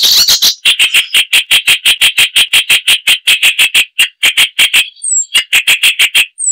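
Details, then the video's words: Icterine warbler song, loud and varied: a fast, steady series of rasping, grating notes about three per second, with a couple of thin high whistles slipped in near the end. "Icterine Warbler (Hippolais icterina)"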